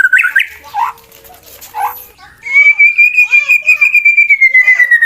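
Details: Competition white-rumped shama, a male, singing to rile rival shamas into fighting: a few scattered short notes and soft rising calls, then a long, sustained bright whistle held high and level, with faint chirps beneath.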